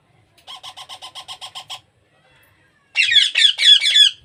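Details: Hand-fed baby parrot gives a run of eight soft, evenly spaced nasal notes, falls silent, then bursts into a loud, harsh, rapidly pulsed begging squawk.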